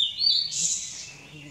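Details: Blue-and-white flycatcher singing in front of the observer in summer mountain forest: a high, wavering whistle runs into a harsh, hissing burst, the phrase lasting just over a second.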